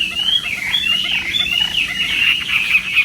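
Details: Chinese hwamei in morning contest training, delivering a continuous, rolling warble of connected whistled notes that wavers up and down without a break.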